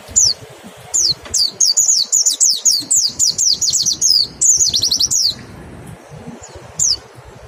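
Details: Pleci, a mountain white-eye, in 'nembak' song used to stimulate other birds to sing: a fast, continuous chain of high, sharply falling chirps, roughly three per second, ending abruptly, followed by one isolated note.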